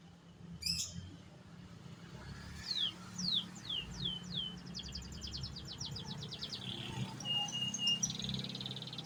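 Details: An AF canary in full song: a sharp high note, then repeated downward-sliding whistles, a fast rattling trill and a steady whistled note ending in a buzzy phrase, with low rumbling background noise throughout.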